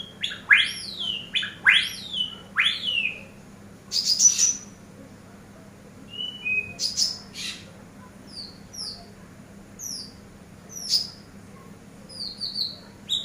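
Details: Eurasian tree sparrow serving as a training master bird: three loud, harsh chirps sweeping downward in quick succession, then scattered short high tweets and small bursts spaced over several seconds.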